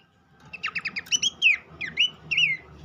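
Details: Horsfield's babbler song used as a lure to get an untrained captive bird singing loudly: a rapid run of five sharp descending whistles, then several slurred, looping whistled notes. The background is quiet apart from a low hum.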